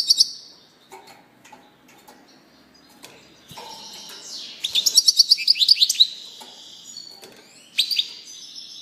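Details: Bright twittering song of a European goldfinch: scattered single chirps over the first seconds, then a dense rapid run of tinkling notes in the middle, and a final short burst near the end.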